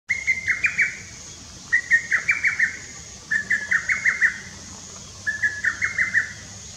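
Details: A Lesser cuckoo (Cuculus poliocephalus), recorded 24 June 2017 in Japan, calls four times, each an emphatic, clipped phrase of five or six quick notes, roughly every one and a half seconds, over a faint steady high hiss.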